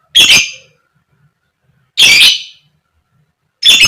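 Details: A female fighter lovebird repeats its grating 'koek koek' call, meant to provoke other lovebirds to sing. Three short, rough, buzzy bursts arrive roughly every one and a half to two seconds in otherwise quiet surroundings.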